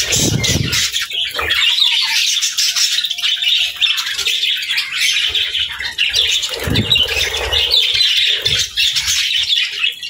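Budgerigars keep up a steady, high, scratchy warbling chatter with squawks, likely from several birds, plus a few low thumps and wing flutters.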